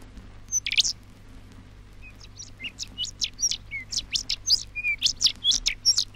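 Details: A Rufous Songlark on a 1968 Australian wildlife vinyl record sings a quick, tumbling run of sharp, high chirps and short whistles after a brief opening burst, over a faint low hum.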